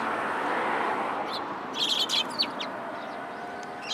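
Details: Sparrows coming to be fed at a Tenmangu shrine on 14 October 2022. A brief cluster of sharp, high chirps and short downslurred notes arrives mid-way, with a few scattered chirps later, over a broad background rumble.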